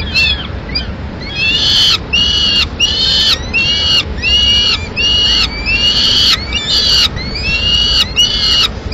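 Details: During a May 2016 feeding at a Madrid peregrine falcon nest, the female carries in pigeon for two chicks. Insistent whining cries, each about half a second long, come in quick steady succession, roughly a dozen in all.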